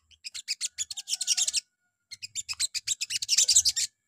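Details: Little spiderhunter (sogon) singing in the morning as a lure for other sogon: two fast rattling runs of high, dry notes, about four per second, each lasting well over a second.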